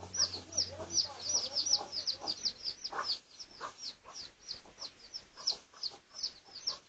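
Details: Pradu-coloured red junglefowl, research recording dated 18 August 2023: rapid, fairly regular shrill peeps, nearly three per second, with a low hum in the first few seconds that then fades.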